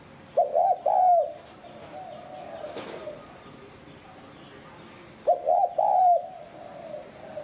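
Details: Spotted dove cooing in the 'hạp bổi sát bổi' voice, meant to rouse decoy doves. Two mellow phrases about five seconds apart, each a quick doubled note then a drawn-out coo, with a faint brief rustle in the quiet gap.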